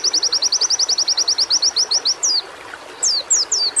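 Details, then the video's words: White-eye (pleci) song, played as training audio to build a fighting spirit and encourage singing. A fast run of about twenty high, upslurred notes lasts two seconds, then a few high descending sweeps follow with short pauses. "terapi menaikan mental fighter burung pleci"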